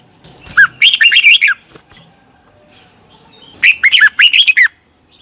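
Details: Decoy song of a red-whiskered bulbul in morning practice, meant to excite other bulbuls into singing; two energetic phrases of joined, rising and falling whistled notes about three seconds apart.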